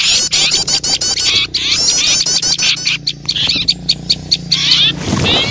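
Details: Small birds alarmed by an owl, used to lure wild birds: dense harsh chatter at first, then thinner sharp chips spaced irregularly, over a steady low hum.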